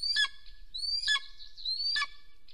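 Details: Golden eagle pair at their nest in Soomaa National Park, Estonia, recorded on a nest camera on a spring morning, 1 April 2024, with the male coming home. Three high, rising whistled yelps, each ending in a sharp downward drop, come about once a second.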